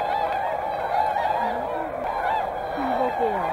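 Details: A flock of Whooper Swans (Cygnus cygnus) at Hyoko, Niigata, where Tundra Swans are also present, keeps up a dense chorus of overlapping nasal, trumpeting honks, with a few clearer rising and falling calls standing out.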